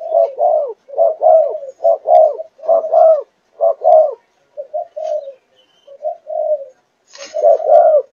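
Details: Four-month-old spotted dove of Malaysian line cooing in the chiêu gù chạy style, with rapid clustered coos, a pause, softer drawn-out notes, then a final burst of coos over a quiet background.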